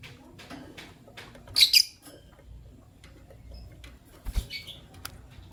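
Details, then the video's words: Fischer's lovebirds, white albino and pastel green, chirping in the morning: two harsh, high screechy chirps about three seconds apart, the first louder, with faint shuffling in between. "Lovebird Chirping Sounds - White Albino with Pastel Green Fischer's"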